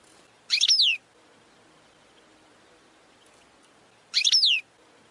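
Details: Goldfinch training song recording with two short, high, descending twittered notes about three and a half seconds apart, quiet between them.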